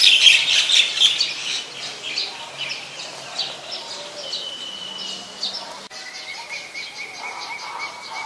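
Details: Olive-backed sunbird (Cinnyris jugularis) at a home on 25 March 2021 around 4:45 PM gives high, thin, sharp chirps in quick irregular series, about two per second, with other faint twittering birds behind.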